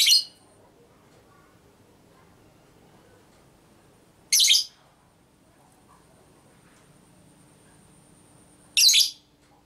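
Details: Female lovebird ngekek used to stir other lovebirds: three brief, scratchy, high bursts spaced over four seconds apart, with long quiet gaps and a faint background hiss.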